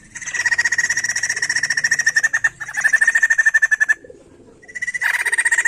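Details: White-crested laughingthrush song used to spur other songbirds into singing: a long, loud, rapidly pulsed chattering rattle lasting several seconds, a brief pause, then the rattle resumes.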